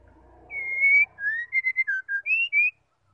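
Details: Female white-rumped shama voice, said to provoke male birds into song: one long pure whistle, then a quick string of brief whistled notes dipping and rising, over a faint background murmur at the start.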